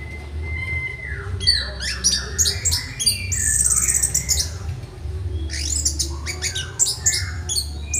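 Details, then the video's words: Orange-headed thrush used as a song tutor, mental training session: a long whistled note, then dense bursts of harsh, rapid high notes and slurs, some buzzy trills, steady low background hum throughout. "Melatih Mental Masteran Anis Merah"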